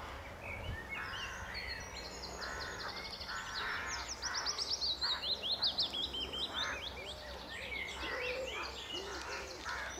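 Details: Singing male willow warbler at Standalone Farm, Letchworth Garden Greenway, June 2014, returning to favourite branches: a cascading descending phrase in the middle amid a busy chorus of other birds' chirps and trills.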